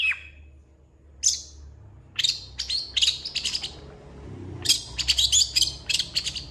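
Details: Long-tailed shrike in full active song, packed with fill phrases: a short whistle opens, then sharp high chirps and clicking notes, ending in a rapid run of bright, piercing twitters; faint low background rumble.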